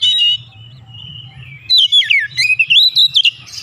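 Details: Oriental magpie-robin provoked to sing in an agitated state: a brief whistle, a soft sustained tone, then a rapid run of looping, sweeping whistled notes over a low hum.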